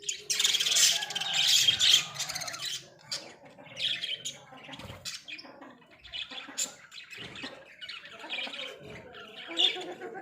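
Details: Caged pet Australian budgies in a small cage, giving a busy, continuous chattering warble of high chirps and squeaky twitters. The warble is densest and loudest in the first two seconds, then continues in scattered bursts.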